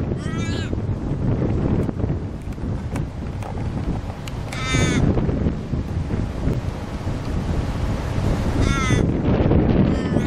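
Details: Umbrella (white) cockatoo: three loud, harsh screeches with ringing overtones, at the start, middle and end, over a steady rumble of wind-like noise.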